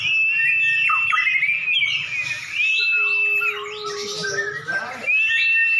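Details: Caged champion white-rumped shamas dueling with a rival: a rich, varied stream of whistles, slurred glides and buzzy bursts, with a low steady tone underneath in the middle of the phrase.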